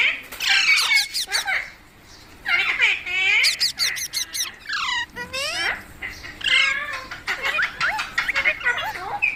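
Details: Green parrot, called mitthu or tota, heard in natural sounds and described as talking: loud harsh squawks and rasping, speech-like bursts in quick runs, with short pauses between the phrases.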